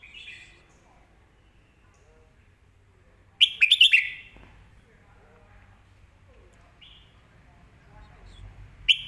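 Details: Red-whiskered bulbul master song used to teach young birds, clear and crisp: a brief opening note, then a burst of quick bright warbled whistles, with a single short note later and another short phrase at the end, separated by quiet gaps with a low hum.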